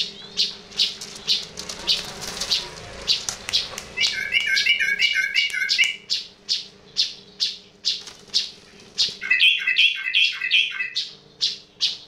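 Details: Unusual calls of a sooty-headed bulbul: harsh chirps repeated about every half second, broken twice by short runs of quick, bright, clustered notes, over a steady electrical hum.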